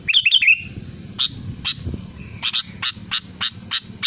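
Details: A sooty-headed bulbul calls out to rivals. An opening burst of liquid whistles is followed by a steady series of short high chirps, roughly three per second.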